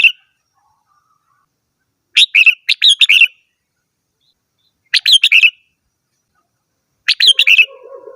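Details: Red-whiskered bulbul song: three lively, tumbling phrases of rapid warbled notes, repeated every two to three seconds, with a faint low hum entering at the end.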